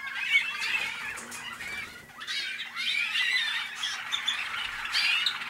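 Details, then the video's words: Waterslager or Malinois canary, hatched in North Canton, Ohio, USA, in 2010, singing continuous rolling, warbling trills and bubbling phrases with a brief pause near the middle, a faint steady low hum underneath. "waterslager canary"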